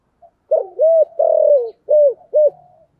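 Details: Spotted dove used as a decoy, trained daily to coo in the 'giọng thổ' style and lure wild doves; five mellow coos, the third longer and dropping at its end, delivered in quick succession.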